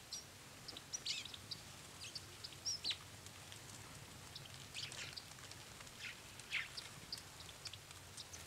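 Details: Azure tit (Cyanistes cyanus), a rare visitor from Russia, in Finland in late November 2019, giving thin, high, very short call notes in scattered bursts every few seconds over soft background hiss.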